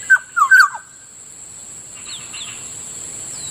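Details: Morning near a rice field in Bicol: a black-naped oriole (Kilyawan) gives three quick fluty, liquid whistled notes that dip slightly in pitch. Fainter higher notes follow over a continuous shrill insect drone.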